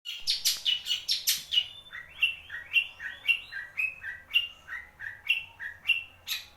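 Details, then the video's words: Wewah bird, used as a tutor recording to prompt a quiet shrike to sing: sharp chirped notes open, then a steady series of paired, falling whistled notes repeated about twice per second. "burung wewah untuk pancingan cendet malas bunyi"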